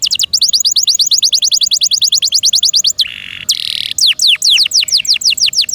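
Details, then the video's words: Kept canary singing a fast series of sharp descending chirps, broken by a harsh buzzy burst in the middle, then resuming with slower swooping notes. "PLEASE LISTEN AND ASSESS FOR YOURSELF THE BEST CANARI BIRD"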